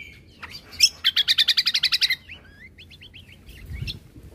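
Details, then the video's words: Greater green leafbird (cucak kombo), a caged bird singing actively for training other caged birds, in the 'full isian tembakan' style. About ten rapid, sharp, repeated notes in a burst, followed by scattered whistled slurs and chips. Faint low background hum. "Masteran Burung Full Isian Tembakan - Cucak Kombo Gacor Untuk Masteran Burung"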